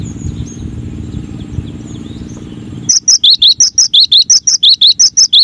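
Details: Cinereous tit's masteran song begins after a few seconds of low rumble: a brisk, even run of ringing whistled notes alternating high and lower, about fourteen in quick succession.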